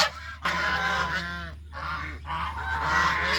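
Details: Geese roaming countryside farmland while foraging, honking in three loud stretches of layered nasal calls separated by short silences.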